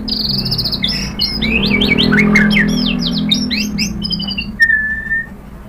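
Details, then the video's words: White-rumped shama song meant to provoke other shamas into answering: rapid warbled and slurred phrases, a burst of sharp notes, ending in a long flat whistle, over a low background hum. "KICAUAN MURAI BATU memancing BUNYI jadi NYAUT GACOR BONGKAR MATERI | PANCINGAN MURAI"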